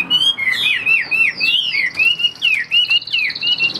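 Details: Chinese hwamei kept in a cage for sale, singing loud, rapid whistled notes that swoop and slur. Phrases repeat several times a second, ending with a sustained high tone.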